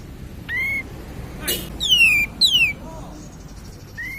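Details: Cream-vented bulbul song used as a lure to stimulate other birds: two loud whistled notes sliding downward in quick succession, a short rising whistle before and after, and a faint lower chirp between.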